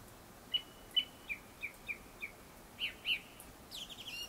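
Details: Japanese thrush singing before dusk: a run of six clear, high whistled notes about every third of a second, then two fuller notes and a thin, twittering flourish.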